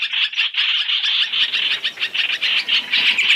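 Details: {'caption': 'Brief three-in-one trapping lure of black-throated laughingthrush: rolling, bubbly high chirps in quick pulses, each burst rising and falling in loudness.'}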